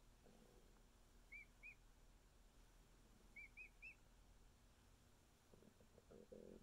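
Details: Male emu chick just over a week old, held close by its keepers: two soft whistled peeps, then three more, followed by rustling handling noise toward the end.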